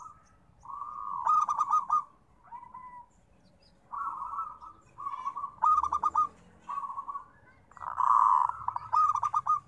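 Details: Perkutut (zebra dove) singing in a steady series: rolling trilled phrases broken by sharp stuttered note bursts, about seven phrases with brief gaps.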